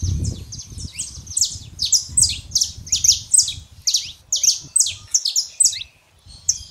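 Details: Saffron finch, male and female, song used to excite a quiet canary; quick rhythmic run of high, shrill, downward-sweeping chirps, packed closely together, ending with a short pause and one last note; low rumble underneath.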